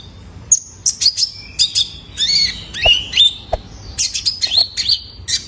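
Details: Young male Kolibri Ninja recorded to stimulate other caged birds: a busy run of high, thin chirps and short twittering trills, with a few lower sliding notes and two brief clicks in the middle.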